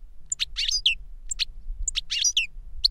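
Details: Caged European goldfinch singing: an adult tutor or the young bird it taught by CD, repeating quick phrases of bright twittering notes and clear high whistles, with a low steady hum underneath.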